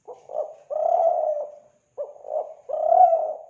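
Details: Kelantan spotted dove lure call: two low cooing phrases, each a short double note followed by a long, slightly wavering coo, with a brief pause between them.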